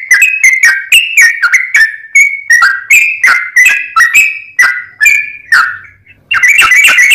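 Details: Actively singing sooty-headed bulbul used as a lure, producing sharp-onset whistled notes that wobble up and down in pitch, spaced unevenly, with a brief gap before a final fast chattering flurry.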